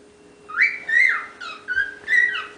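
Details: Young pet cockatiel, the youngest of ten kept together, whistling: a run of clear rising and falling whistled notes, some slurred upward and some dipping, over steady background hum.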